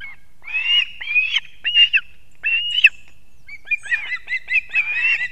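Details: Ospreys at a nest in Kurzeme, Latvia, on an early September morning in 2024 as the father delivers two fish; high whistled squeals in short bursts, ending in a quicker series of chirping notes.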